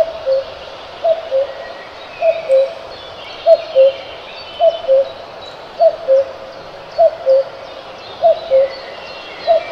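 A cuckoo repeats its falling two-note 'cuck-oo' about every second and a quarter, low and mellow, with faint high songbirds chirping in the background.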